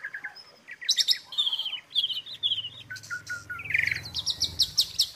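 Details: Asian pied starling (jalak suren) tutor filler song: mixed chirps and short trilled phrases, a buzzy warble in the middle, then a burst of rapid high chirps, over a low background hum.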